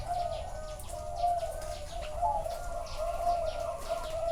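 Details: Zebra dove song heard live at a bird farm in Chana, Thailand: soft, rolling, trilled coos repeat about once a second, with faint clicking and other doves calling behind.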